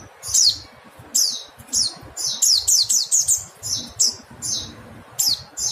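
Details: High-pitched descending chip notes from a mountain white-eye, delivered singly then in a fast run of several in the middle, each a sharp downward slur, with faint low background noise.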